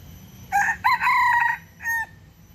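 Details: Rooster crowing beside a hen in Singapore Botanic Gardens after long refusing: a loud harmonic crow of several segments, a sharp rise then a sustained wavering note and a short final drop, over faint background hum.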